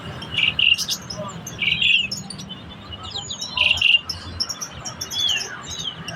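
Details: Black-collared starling in lively song, kept by a bird keeper. Loud, rich warbled phrases in pairs with chattering notes, repeating every second or two, over a low background rumble.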